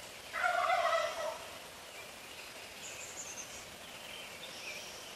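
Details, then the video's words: Neighbourhood wild turkey tom gobbling close by at 4:45 AM, calling roughly every thirty seconds; a loud, rolling, rattled gobble lasting about a second, followed by faint high thin songbird notes in the dawn background. "Turkey Gobbling Good Morning 0445 AM"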